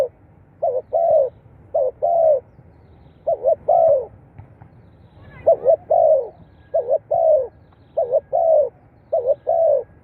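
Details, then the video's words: Spotted dove voice played to get captive birds calling: a long run of paired phrases, each a clipped double note then a sliding, descending coo. There is a brief lull midway, then a steady series over faint low rumble. "เสียงนกเขาใหญ่ เปิดกระตุ้นนกชำ ขึ้นไว"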